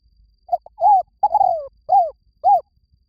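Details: Decoy cooing of a spotted dove: a full phrase of short and arched low coos, with the third note drawn out and falling. The five notes are spaced roughly half a second apart, with no background sound.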